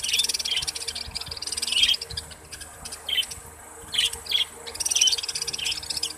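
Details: Kept Australian budgerigars chattering: soft, scratchy warbles and short chirps in irregular bursts over a steady background hiss.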